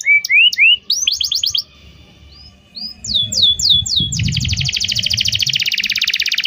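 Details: Atlantic canary song used as a lure to teach a young canary to sing: rising whistled notes and quick sweeping chirps, then after a brief pause a long, fast, high buzzy trill of evenly repeated notes.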